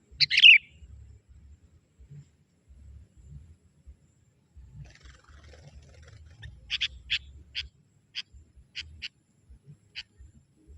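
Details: Young sooty-headed bulbul from the forest luring wild bulbuls: one loud bubbly chatter opens, followed later by a loose run of sharp, clipped ticking notes, spaced unevenly over several seconds.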